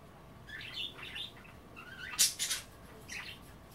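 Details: Budgerigars kept as pets chatter while nibbling kale set out in bath water; quick rising and falling warbled notes in short bursts, broken by a loud sharp click near the middle.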